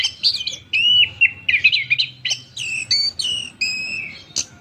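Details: Sustained whistled phrases from an Orange-headed thrush sold as punglor kembang: long steady whistles, a fast twittering passage, then level ringing notes, part of an extended song.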